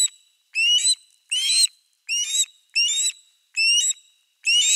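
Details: Osprey at nest 3 of a Finnish nest camera, with a fish at the nest on 4 August 2024; clear whistled calls, each rising then levelling, repeated roughly every 0.7 seconds with brief silent gaps.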